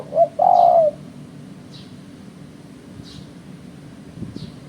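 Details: Spotted dove call used by bird trappers as a lure: a short low coo followed by a longer, slightly wavering coo within the first second, then quiet, with faint high chirps from another small bird.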